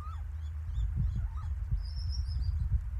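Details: Little owls recorded at Lichtenvoorde, 15 January 2024: short mewing upslurred calls at the start and after a second, a thin high whistle from another bird following, over heavy low rumble.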